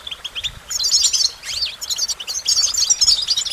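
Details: Clear goldfinch song starting after a short pause, with rapid sparkling trills, a looping slurred note, and chattering phrases.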